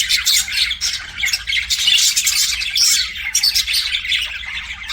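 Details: Chattering pet budgerigars: rapid, buzzy chirps and harsh squawks in a near-constant stream, brief clear whistled notes breaking through, faint hum in the background.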